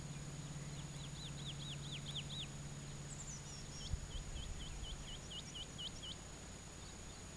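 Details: Woodlark in early-summer song on a quiet fallow plot in southern Alentejo, Portugal: a run of about eight slurred, falling notes, then a brief higher flourish and a steady series of a dozen clear, hooked whistles, with faint background hum.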